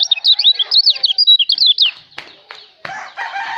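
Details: Kecial white-eye from Lombok pours out a quick chain of high, bouncing whistled notes for two seconds, then stops; clicks and a burst of mixed bird chatter follow. Recorded as a tutor song.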